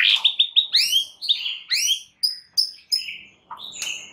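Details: Varied white-rumped shama song from a champion bird, used to stir other shamas to sing. Rapid run of bright rising whistles and chirps, uneven in rhythm, with some harsh overtoned notes.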